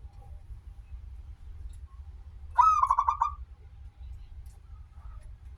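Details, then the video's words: Local zebra dove, a lively singer with a long opening, used as a lure to prompt other zebra doves to sing: a single quick phrase of rapid, stuttering, rolling coos over a steady low hum. "perkutut lokal gacor suara awal panjang, pancingan perkutut agar bunyi"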